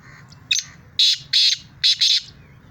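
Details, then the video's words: Black francolin calling in Sindh, Pakistan: a short sharp note, then a pair of harsh, buzzy, high notes and a second closely spaced pair, with a low hum underneath. "Kala Teeter"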